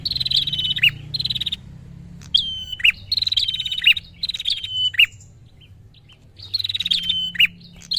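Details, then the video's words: Agitated prinia calling to lure a rival: repeated runs of rapid high-pitched chattering, each closing with a steep descending chirp, in phrases of one to two seconds. A quiet spell follows before calling resumes, over faint background rumble. "Burung Prenjak Gacor Pikat Emosi Lawan"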